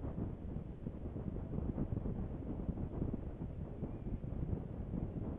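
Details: Gusty wind buffets the microphone throughout, with no animal sound.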